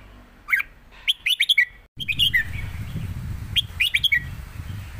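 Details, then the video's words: Caged red-whiskered bulbuls duel in the southern master-pattern song, trading phrases: clusters of quick, sweet chirps, a brief dropout, then more bursts over a low rumbling background. "ดอกต่อดอก นกเสียงทองดวลเพลงกัน(เพลงใต้แม่บท)"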